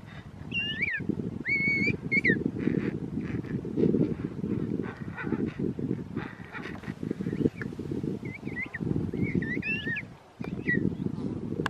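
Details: Young king penguin being fed at a penguin park, begging with bright whistled chirps with overtones, a burst near the start and another toward the end, masked between them by a strong low roar.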